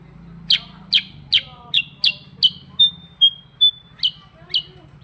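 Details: Sooty-headed bulbul (kutilang sutra) in continuous 'ngerol' rolling song: a fast run of sharp, descending chip notes about two or three a second, broken by three short level whistles, then chips again, over a low steady hum.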